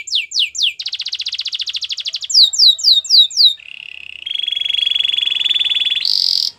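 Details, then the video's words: Belgian canary in full song, recorded for teaching a silent canary: swooping slurs, a long dense rapid trill, more slurred notes, then low and middle buzzy trills and a final higher burst. "Belgian Canary Singing"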